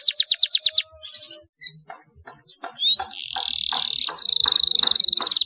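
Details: Canary song used to trigger reluctant canaries: a quick burst of downslurred notes, scattered clicks and short whistles, then a long buzzing trill rising in loudness.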